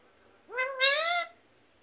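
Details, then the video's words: Talking parrot mimicking a human word, one rising then level harmonic-rich syllable lasting under a second over faint room noise. "mithu mithu mummy mummy"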